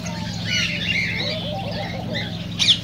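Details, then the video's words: Cockatiels, played to stimulate mating and singing: overlapping chirps and warbled whistles over a steady low hum, with a sharper squeak near the end. "تغريد كوكتيل"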